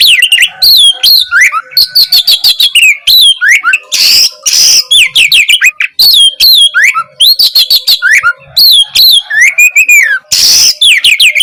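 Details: Oriental magpie-robin (kacer) delivering a long, nonstop gacor song for provoking reluctant birds to sing: dense fast phrases of chirps and sliding whistles, broken by three harsh rasping bursts.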